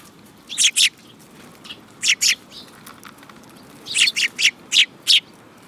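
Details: Sparrows filmed on 10 June 2018 give loud, sharp, high chirps in quick pairs and bursts, with short pauses between clusters and a faint background hiss.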